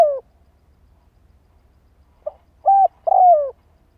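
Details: Lure call of a spotted dove: the tail of a falling coo, a pause, then a fresh phrase of a soft short note, a steady coo and a drawn-out descending coo. The setting is quiet.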